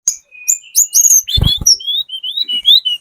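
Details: Sunda robin, spotted 'trotol' form, singing a lure song meant to draw replies from other birds: high thin whistles and sliding notes, then a run of rising and falling whistled phrases, with a low thump midway.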